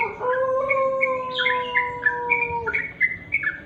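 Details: Sooty-headed bulbul at dusk: a run of quick chirped notes, rising and falling, over a steady low drawn-out tonal whistle that holds for over two seconds before fading.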